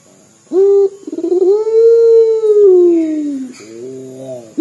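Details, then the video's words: Crying-sounding call of a local puter dove: a short low coo followed by a stuttered run that swells into a long, slowly rising then falling wail, then softer coos. "PUTER LOKAL GACOR DOR SUARA SEPERTI MENANGIS"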